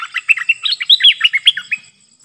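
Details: Stripe-throated bulbul song used to lure wild birds in Thailand, 1 April 2021. Wild birds approached but stayed up, probably tending a nest. A rapid bubbly run of about fifteen short warbled notes in under two seconds, loud and clear.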